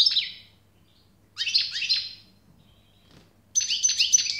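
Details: Goldfinch song arriving in three separate phrases of rapid, liquid twittering notes, each dying away before the next begins, with a soft steady hum underneath.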